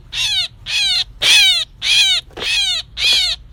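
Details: Myna call used as a trapping lure, 2024: six harsh, raspy bursts about half a second long, each with stacked harmonics sweeping steeply downward, repeated roughly every 0.6 seconds with short silent gaps and a faint low hum.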